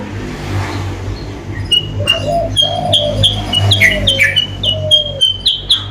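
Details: Lure call of a sooty-headed bulbul for attracting rival birds: rapid high piping notes repeated several times a second, overlapping low, drawn-out cooing from another bird in the background.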